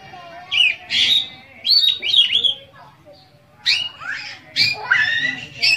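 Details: Oriental magpie-robin, a kept songbird, delivering a rich full song with mimicry to spur other magpie-robins into singing: loud chirping whistles and rapid scratchy phrases in dense bursts, with a brief quiet gap midway.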